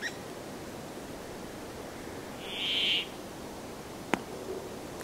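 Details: Brambling song: a single harsh, buzzy, nasal wheeze held about half a second at mid-high pitch, loud against steady background hiss, with one sharp click shortly after.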